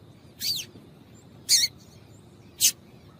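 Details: Female rusty-collared seedeater calls, used to stimulate males to sing: three short, high notes about a second apart, the first a downward-slurred chip and the others brief sharp bursts, over quiet background hiss.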